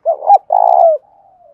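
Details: Spotted dove lure cooing used to provoke other doves to coo: a short two-part coo followed by a longer, burry, slightly falling coo and a faint trailing note, clean and close.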